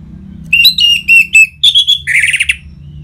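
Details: Orange-headed thrush song used as a lure to prompt caged birds to sing: a rapid run of clear whistled notes, about four per second, ending in a louder harsh, rasping burst. A faint low hum lies underneath.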